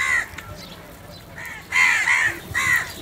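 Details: Crows fighting over food: a short harsh caw, then two louder rasping caws near the end, over steady background hiss.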